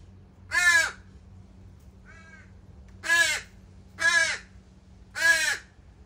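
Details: Crow fledglings left at a morning feeding spot beg with four harsh, raspy caws, the last three closer together, plus a faint brief nasal note early on and a steady low hum underneath.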